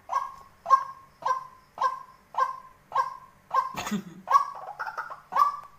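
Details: Tame decoy white-breasted waterhen giving a steady series of hollow, nasal 'wak' notes, about two per second. One brief rough burst interrupts the series near the end before the calls resume.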